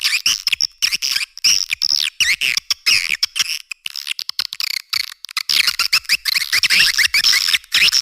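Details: Swiftlet-attracting call of the edible-nest swiftlet, for caves and farming: chattering high chirps with rising and falling sweeps in irregular bursts, a quieter sparse stretch midway, then dense twittering resumes.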